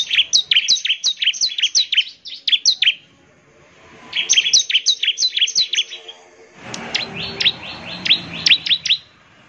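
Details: Bar-winged prinia song used to make other prinias answer: rapid series of sharp high chirps, repeated in three bursts separated by short pauses, with faint background hiss in the last burst.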